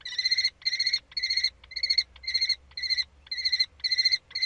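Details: Common kestrel at a prey transfer on 3 May 2013 in spring, giving steady, harsh, buzzy trill bursts roughly every half second, each with a rattling texture, against a quiet background.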